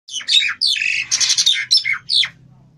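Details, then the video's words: Nias hill myna with a greying head, a caged bird in full song, giving loud, harsh, wheezy phrases with squawks and whistled notes in bursts of half a second to a second, closely spaced. "Jalak Nias Kepala Beruban Gacor"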